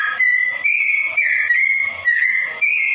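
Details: Short burst of sooty-headed bulbul song in a slow tone, used for tutoring straw-headed bulbuls: sustained, mellow whistles that hold mostly level with slight rises, broken into about five linked phrases.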